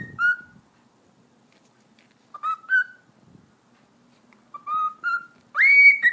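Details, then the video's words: Indoor pet cockatiel whistling in short bursts separated by long silences: small clusters of clear notes that step upward, ending in a loud rising whistle that holds high. Faint low rustling opens the recording. "Sultan Papağanı Konuşması - Eşek Sıpası Diyor"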